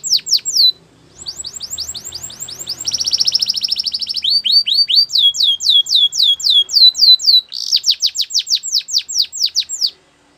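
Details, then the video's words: Belgian canary in full song: descending whistled phrases, a fast buzzing trill, a series of rising notes, then another run of loud falling sweeps before a brief pause. "Melodies Canary Birds Song | Belgian Canary"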